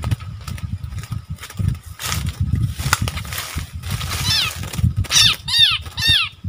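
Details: Wild striated bulbuls in a fierce argument, recorded 8 February 2021. Near the end, three or four loud, falling, slurred notes follow one another quickly over a constant low rumble of background noise.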